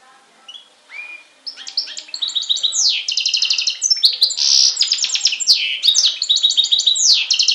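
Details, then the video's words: A goldfinch–canary hybrid (mule), recorded on Syros, Greece, in July 2007, sings a long, rapid, high-pitched song of tinkling twitters, buzzy rattles and quick trills, almost without pause. "Carduelis Carduelis X Canary singing"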